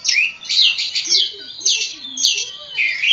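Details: Javan Oriental magpie-robin of the kacer poci type singing ngobra style: high, slurred whistles that swoop down then up, repeated in quick phrases nearly twice a second, with faint softer warbling below.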